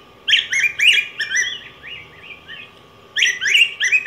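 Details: Rich, fluty warbling from a yellow grosbeak (Pheucticus chrysopeplus): a lively phrase of quick slurred whistles trailing into softer notes, then a brief pause and another loud, bright phrase, over a faint steady hum.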